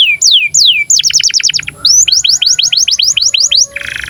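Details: Breeding-condition canary song used to train young canaries: a few downslurred whistles, then fast runs of bright sweeping notes at about five per second, ending in a short harsh buzz.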